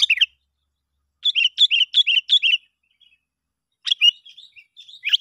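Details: Sooty-headed bulbul lure call used to draw other bulbuls in: bright chirpy two-note phrases, a quick run of five similar phrases in the middle, then scattered sharp notes after a pause; no other sounds.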